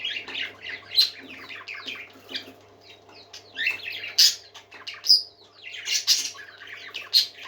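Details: Happy singing parakeets: a flowing jumble of high warbles and chirps, thinning briefly midway, then sharp bright squeaks return roughly once a second over a low electrical hum.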